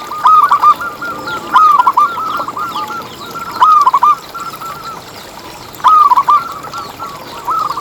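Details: Local zebra dove singing vigorously, used as a lure for other zebra doves: loud phrases of quick stuttering coos come roughly every two seconds, with softer cooing phrases between them.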